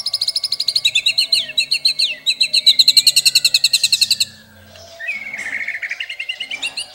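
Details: Indonesian white-rumped shama (murai) masteran song full of varied filling: over four seconds of very fast, evenly pulsed high chattering notes in a long burst, a brief pause, then a softer warbled phrase with more high chips.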